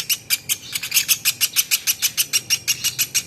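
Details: Platuk beras woodpecker in a training recording for songbirds, calling with short scratchy high chirps repeated evenly about three times a second.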